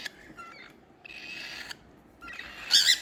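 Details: Young cockatiel chicks giving little sounds: soft clicks, then a long hissing rasp, a pause, and a loud harsh, wheezy screech at the end.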